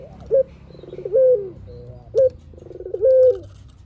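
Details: Barbary dove calling eagerly, a lure recording meant to make other doves reply: short bursts of throaty pulses rising into a brief steady coo, alternating with clipped sharp notes, twice in quick succession.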